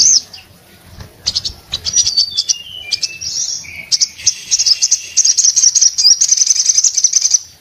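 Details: Singing orange-headed thrush in breeding condition, opening quietly, then building into varied high twittering with whistled slurs falling in pitch and a sustained, fast chattering run to the end.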